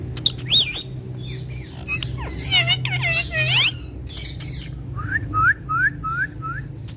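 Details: Pet rose-ringed parakeet speaking Urdu or Hindi: squawky harmonic bursts and warbled word-like phrases, then a run of five short upward-sweeping chirps, over low background hum.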